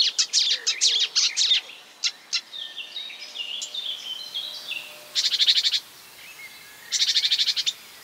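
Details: Marsh warbler song made of imitated bird sounds: a burst of quick chips, some thin warbled notes, then two fast buzzy rattling trills separated by a short pause.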